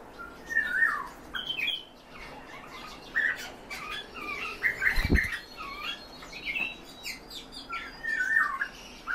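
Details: European bee-eaters kept in captivity, giving short rolling trilled calls repeatedly in a busy overlapping chorus, with occasional thumps and rustling nearby.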